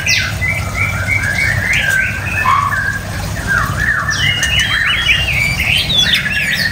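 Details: White-rumped shama song of wavering slurred whistles and sweeping notes, livelier in the second half, over steady low background noise.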